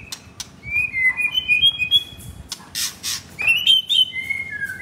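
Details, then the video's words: Male white-rumped shama, F4 blorok, kept caged in Jakarta, Indonesia: high pure whistled notes in a level series, a burst of harsh noise, then more sliding whistles descending at the end. "Jual Murai Batu F4 Blorok Materi Kasar"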